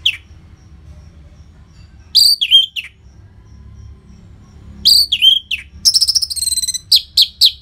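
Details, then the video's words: Orange-headed thrush, loud prompting song for caged birds: a short phrase of high slurred whistles, a pause, then a longer phrase that includes a rapid buzzy trill and several sharp falling notes. "Pancingan & Masteran ANIS MERAH Gacor Jeda Rapet Suara Keras || Burung Macet Pasti Ikutan Bunyi."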